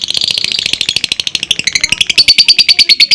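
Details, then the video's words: Fighter lovebird giving its ngekek panjang long trill, a rapid rattling high chatter used to prompt other lovebirds to sing; the pulses quicken, then turn into sharper ticking notes near the end. "LOVEBIRD NGEKEK PANJANG DAN GACOR,Dengan Suara Fighter Ngetik,Ngekek Panjang"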